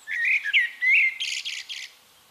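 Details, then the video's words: Mellow whistled notes from a singing Eurasian blackbird in Castricum, the Netherlands, give way to a rapid series of high, hissing chatter notes. "One Hour Relaxing Birdsong: Blackbird"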